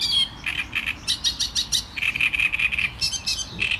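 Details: Loud, rhythmic Great reed warbler strophe: chunky, harsh syllables delivered in quick repeated groups, with a brief higher-pitched flourish near the end.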